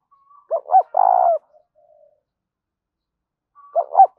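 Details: Lure coo of a spotted dove meant to attract other birds: a double short note and a long rolling coo, then quiet, then the next phrase begins; clean, with nothing else audible.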